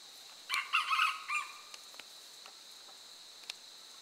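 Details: Red junglefowl in a tiger reserve during a territorial fight, giving one hoarse, broken crow of about one second made of several rough pulses, over a steady insect hum with faint clicks afterwards.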